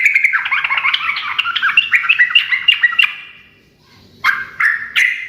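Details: Sooty-headed bulbul in lively, nonstop 'ngekek' chattering song that is said to make other birds answer at once; fast bubbly run of short warbled notes for three seconds, a pause, then three loud separate bursts.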